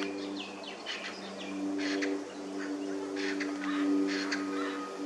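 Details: A helmeted friarbird recorded on 28 August 2023 gives harsh, raucous bursts of notes in quick phrases over about five seconds, above a steady low mechanical hum.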